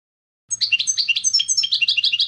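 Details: Clean contest song of a European goldfinch, recorded to educate young birds: quick high tinkling phrases in varied syllables, pulsing about eight times a second, with a faint low hum beneath.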